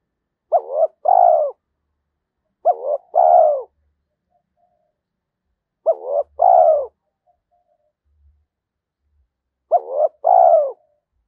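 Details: Spotted dove of the 'thổ' voice style calling to challenge rivals and attract wild doves. Four evenly paced two-part coos, roughly every three seconds, each a clipped wavering note followed by a fuller descending coo; faint low thumps between phrases.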